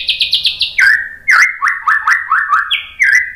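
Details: White-rumped shama provoking song: four quick high repeated notes, then a series of rising slurred whistles repeated roughly every quarter second, and a final higher clear note sliding down.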